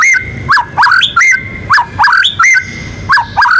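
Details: White-rumped shama, a national contest winner, repeats loud slurred whistled phrases, each a rising-then-falling swoop with a sharp upslur, roughly every half second, with a faint steady tone underneath.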